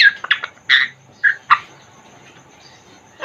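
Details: Caged African grey parrot of the Congo form uttering a handful of brief, rasping squawks and chirps in the first second and a half, then quiet.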